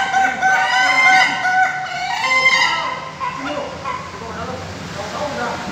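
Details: Ayam Ketawa, the Indonesian laughing chicken, crowing at a practice contest in Bogor: stacked harmonic crows in a stuttering, laugh-like run, with other birds and background chatter.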